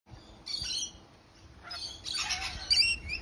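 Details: Parrots in a parrot garden give harsh, screechy squawks in two bursts, with higher chirps mixed in, possibly from several birds.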